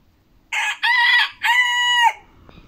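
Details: Chicken crowing in a home flock, 10 October 2022: a loud crow in three parts, a short opening note, then two longer, strained, harmonic notes, the last held and cut off sharply.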